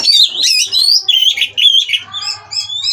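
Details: Mating Oriental magpie-robins at a breeding farm, sound used to spur rivals to sing: loud, dense sweeping whistles and buzzy chatter, rising and falling notes packed tightly, softer high whistles at the end over a low hum.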